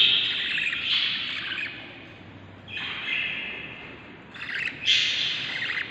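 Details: Budgerigar nestlings inside the nest on day 38 of breeding, seven chicks: bursts of harsh, hissy chatter separated by quieter gaps, the last burst loudest and most crowded.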